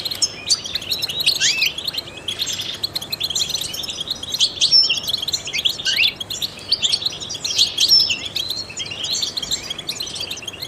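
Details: Long stretch of trained European goldfinch song used to stimulate other songbirds: bursts of rapid chirps and downward-sweeping twitters, with a couple of thin clear whistles, phrases repeating irregularly about every three seconds.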